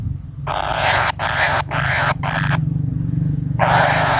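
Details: Kingfisher chick calling while it waits for a parent to return. Four short harsh, buzzy rasps are followed by a gap and then a longer rasp, over a steady low hum.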